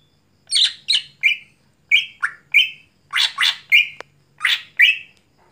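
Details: Cucak hijau, greater green leafbird, singing vigorously at night, mixing harsh rasping bursts with short level whistles and a few downslurred notes in an irregular, continuous phrase; a single sharp click is heard.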